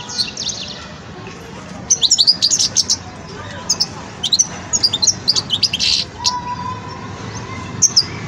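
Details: Young European goldfinch in its song-learning stage, giving bursts of high, rapid twittering and tinkling notes in clusters, with quieter gaps and a faint low hum underneath.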